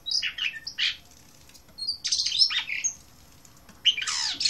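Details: Song of an Asian blue rock thrush: several short scratchy and whistled phrases with pauses between them, heard fairly quietly over a low background hum.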